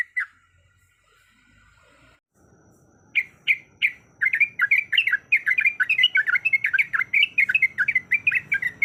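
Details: A female yellow-vented bulbul in breeding condition calls to a male: a few spaced sharp chirps open the sequence, then a quick unbroken bubbling chatter follows over faint low background rumble.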